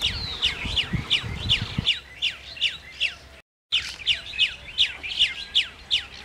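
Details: Chestnut-tailed starling gives sharp, squeaky high chirps, about three a second, with a brief break midway; low rumbling noise at the start.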